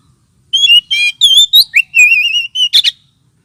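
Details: Oriental magpie-robin lure call, also played as therapy for birds lacking aggression: a quick run of clear, high whistled notes, several wavering or trilled, in varied short phrases, ending in a harsh rasping burst.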